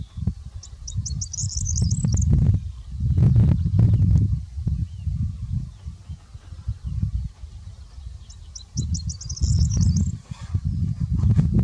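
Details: Corn bunting recorded 18 July 2019 at Grimshög, Peppinge, singing twice, each a high, stuttering run of ticks speeding into a dry jangle of about two seconds; strong wind rumbles throughout.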